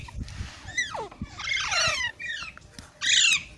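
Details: Green parrot making a few drawn-out descending squawks followed by a short, harsh, buzzy burst at the end.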